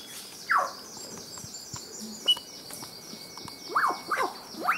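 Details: A male Albert's lyrebird displays and calls in dense foliage in Main Range National Park, Queensland, outside breeding season, mimicking satin bowerbird and crimson rosella among others; loud, clear sweeping falling and arching notes over a steady high insect chorus.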